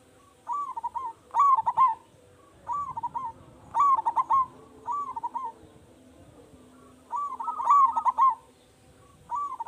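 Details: Zebra dove, local type, calling strongly as a lure so other doves answer; short gurgling coo phrases alternate with louder, richer ones, repeated rhythmically roughly every second or two throughout.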